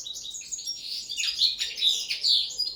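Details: Linnet singing on the table during its first training, a short dense burst of twittering chirps and descending buzzy notes, strongest toward the end, with no other sounds.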